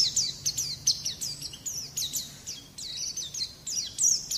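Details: White-eye song played as a training recording to coax young caged birds into singing: rapid, high, thin twittering of slurred, down-sweeping notes in quick bursts, continuous throughout, over a faint low hum.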